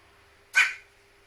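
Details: Sneeze of a kept Carrion crow, water having gone up its nose, one of a long series; a single sharp, breathy blast rising suddenly and tailing off quickly, with a quiet low hum behind it.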